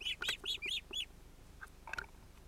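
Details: Osprey at its nest with chicks, recorded 31 July 2018 by a nest camera in Finland: a few short, arched, squealing notes in quick succession, then fainter scattered chirps and background hiss.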